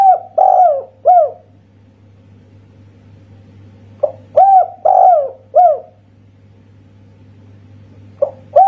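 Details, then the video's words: Local Indonesian spotted dove with a 'kuk satu' style voice: phrases of a short clipped note then three mellow descending coos, the middle one longest, recurring about every four seconds over a steady low hum. "Masteran Tekukur Kuk Satu Suara Istimewa."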